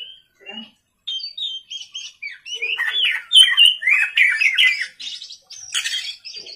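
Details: Oriental magpie-robin (kacer) singing gacor at night as a lure recording: sparse opening chirps swell into a dense, fast medley of harsh buzzes, clear whistles and rattling notes, roughly four elements a second.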